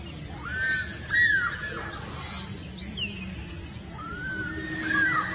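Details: Stork-billed kingfisher, Pelargopsis capensis: loud arched whistled notes, rising then falling, given in pairs near the start and again after a pause, with fainter chirps and a steady rural background hiss.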